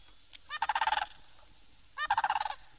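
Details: Florida Sandhill Crane, a stately bird of the remote Kissimmee Prairie and Everglades in Florida, from a 1969 bird record. It gives a loud, rattling, rolling call in two bursts about a second and a half apart, each of about nine rapid pulses.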